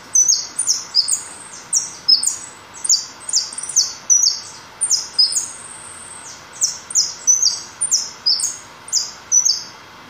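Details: White goldfinch singing: loud, bright bursts of rapid, tinkling high twitters in quick phrases, repeated about twice a second with no gaps, and no other sounds.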